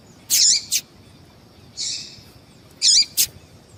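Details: Female yellow-bellied seedeater calls used to get males excited; three bursts of high, slurred, twittering peeps, some in quick doubled pairs, against a faint steady background hum.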